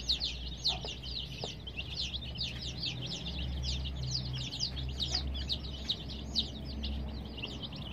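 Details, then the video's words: A crowd of colored baby chicks kept warm under care gives a continuous jumble of high, falling peeps, densely overlapping throughout, over a low droning hum and a few faint knocks. "Baby "Chicks Chirping" Sound"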